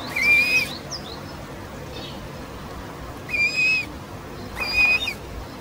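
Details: Short-toed snake eagle giving clear, fairly high whistled notes, each held briefly at an even pitch, three calls spaced a couple of seconds apart over a soft background hiss.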